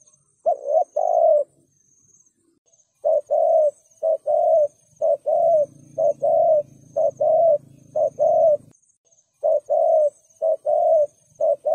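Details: Spotted dove thúc gù cooing meant to draw wild doves: dense series of soft, hollow double coos, roughly one per second, with a low humming drone for a few seconds and a thin high whine behind.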